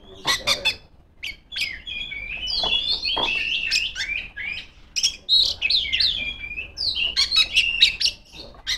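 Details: Female Oriental magpie-robin in loud song calling rivals, mixing sharp clicking notes with continuous varied whistles and warbles over nearly nine seconds.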